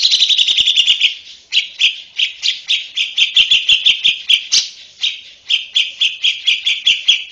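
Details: Female Oriental white-eye singing at full stretch in the rapid ngeriwik style: a dense run of quick chirping notes, briefly pausing near 1.3 seconds, then continuing in evenly spaced bright bursts to the end.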